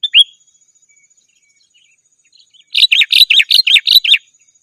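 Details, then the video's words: Sooty-headed bulbul call for drawing in rival and wild birds. One short slurred note is followed by a pause. Then comes a steady string of about eight sharp, evenly spaced chirps lasting nearly two seconds. "Suara Burung KUTILANG GACOR 100% Ampun Untuk Suara Panggilan dan Masteran"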